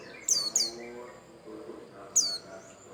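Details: Bustomi white-eye singing to prompt other birds: two rapid, piercing downslurred whistles, a short pause, then a third, each very high and clear against faint low background sound.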